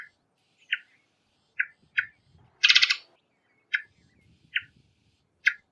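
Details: Varied thrush calling with brief clipped notes spaced about a second apart, interrupted by a single loud, rough, broadband squawk; faint low rumbling underneath.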